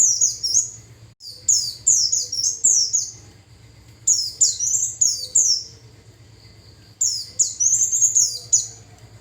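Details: Japanese white-eye lure song meant to attract wild birds: bursts of bright, high descending chirps and quick twitters, several notes per burst, separated by short silences, over a faint low hum.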